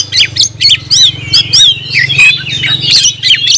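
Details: Caged oriental magpie-robin (kacer) singing 'gacor nagen': rapid bursts of sharp whistles and harsh chirps high in pitch, irregular phrases, with a steady low hum underneath.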